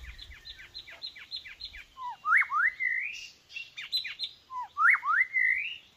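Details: Decoy white-rumped shama, called weak by its keeper, singing loudly: a fast series of repeated downslurred chips, then rich rising and falling whistled phrases repeated twice.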